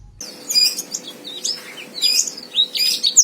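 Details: White-eye fighter song, used to provoke a rival into singing: bursts of high, thin chirps and short twittered phrases, separated by brief pauses, over a faint steady low hum.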